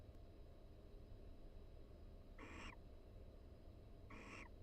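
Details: Two brief raspy, hissy notes from a barn owl pair calling softly inside a University of Florida nest box while preening, a pair-bonding exchange; low background hum between the calls.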